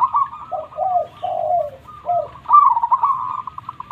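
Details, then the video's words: Zebra dove (local perkutut) song, used to spur idle birds or lure wild doves. Lower, falling coos in a quick group, a pause, then a bright rolling coo with fast flutters, over an overlapping second voice. "Perkutut Lokal Gacor Suara Super besar"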